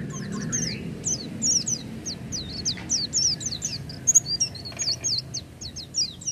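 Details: Oriental white-eye singing nonstop: rapid, high, twittering song of short down-slurred and looping whistles, densely packed, with a brief sharp accent midway and steady low background noise.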